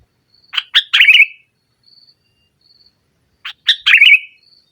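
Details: Energetic sooty-headed bulbul in nggaruda style, used as a lure for a silent bird: two similar phrases about three seconds apart, each of quick sharp notes and a liquid gurgling warble, with a faint high whistle in the gaps.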